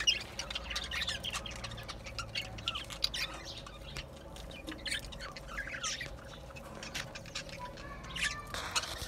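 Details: Budgerigar warbling: soft, fast chirps and twittering notes run on continuously, with a constant faint hum behind and a louder chirp near the end.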